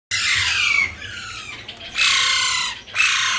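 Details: Indian ringneck parrot, also called Alexander parrot, said to be talking; loud harsh screeching squawks with falling tones, three bursts separated by short pauses, no clear words.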